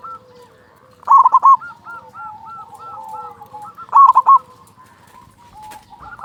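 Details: Local zebra dove with a big voice, singing steadily, used as a lure to make other zebra doves sing quickly; loud rolling coo bursts near 1 and 4 seconds over softer repeated hooked cooing notes from similar birds.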